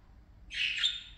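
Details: Parakeets at play give a single harsh, buzzy chirp lasting about half a second, loud and broad in tone, rising sharply and then fading, over a quiet background.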